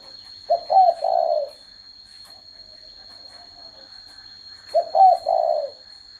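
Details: Spotted dove giving two deep, hollow three-part coos about four seconds apart. Each has a short note, a wavering middle note and a long falling final note. A constant high steady tone runs throughout.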